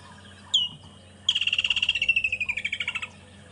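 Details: Woodland kingfisher, a common bird heard more than seen, recorded on an afternoon safari drive at Djuma and Arathusa on 26 November 2014. One sharp high note is followed by a long, descending, rattling trill of about twenty quick pulses.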